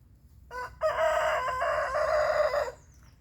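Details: Rooster crowing in the morning to mark his territory while other birds are awake: a brief opening note, then one long, loud, harmonic crow of about two seconds that ends abruptly, with faint distant birdsong after.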